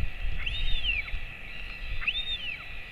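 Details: Royal albatross at its colony during a feeding, the father feeding a 217-day-old chick at 11:35 am on 28 August 2024; two clear arched whistles rising then falling, about 1.5 seconds apart, over a steady high hiss and low rumble.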